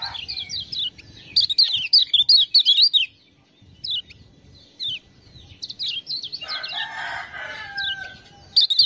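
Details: Lemon-bellied white-eye singing after prompting with ciak-ciak sounds, recorded as a tutor song for other birds: rapid bursts of high twittering, zigzag chirps, a pause, then more chirps over a lower whistled note and faint background hum.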